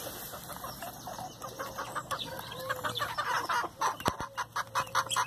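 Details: Chickens in a feeding frenzy on hamburger buns: a steady stream of short clucks that grows louder and more rhythmic toward the end, with sharp pecking clicks.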